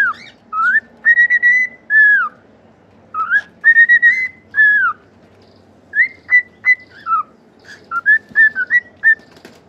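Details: Cockatiel singing a string of clear whistled notes, some gliding up and others arching down, grouped in bursts with short pauses between phrases, against a faint low hum.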